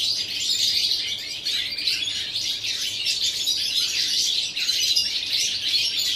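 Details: Recorded 11 September 2018, a European goldfinch pours out an unbroken, tinkling warble of quick high chirps and trills.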